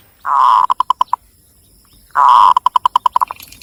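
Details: Local zebra dove from Cilacap, Central Java, singing twice: each phrase is a long level cooing note followed by a quick staccato string of six to nine short identical notes.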